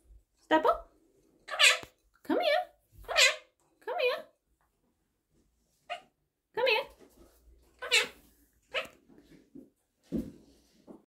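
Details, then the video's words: A blue monk parakeet (Quaker parrot) talks in a raspy, squeaky voice, repeating "come here" about nine times with brief pauses in a quiet room. "Quaker Parrot talking | Parrot saying Come here"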